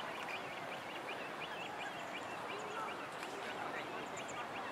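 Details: The only chick of a Great Crested Grebe pair on a lake, begging non-stop for food from both parents, pipes a rapid series of high, thin, upslurred peeps, several per second, like a car alarm, over steady rushing background. Finding: Great crested grebe.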